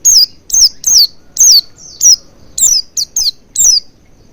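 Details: Oriental white-eye lure to make the bird sing: a fast, busy string of high, shrill falling notes, nearly two per second, some clipped short, with almost no gaps.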